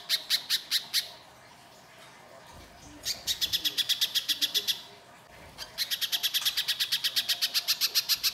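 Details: Little spiderhunter lure song, harsh and vigorous: three bursts of rapid, high, clipped chips, each separated by about a second of quiet.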